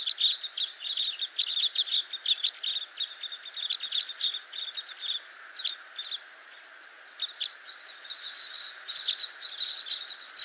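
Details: Red crossbills (Loxia curvirostra) chatter in a busy stream of short, sharp, high chips, several birds overlapping almost without pause, over a soft steady hiss. A flock has gathered at Poľana, Slovakia, to feed on a plentiful spruce cone crop this year.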